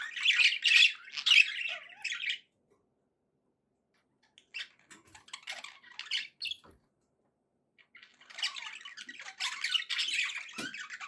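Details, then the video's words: Domestic budgerigars chattering indoors in three separate bursts of scratchy, squeaky warbling, with a long silent pause between the first and second bursts. "budgie sounds to encourage your parrot to eat and sing"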